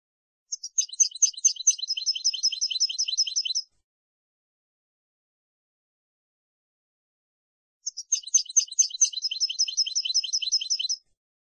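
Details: Tutoring song of a European goldfinch for young birds to learn from: two separate bursts, each about three seconds of quick, high, tinkling repeated notes opening with sharp clicks, separated by four seconds of silence.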